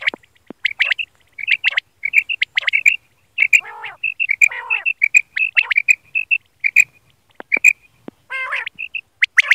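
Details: Quail calls used for night hunting: high, bright chirping notes in quick irregular bursts, with a few lower, rougher calls mixed in; quail.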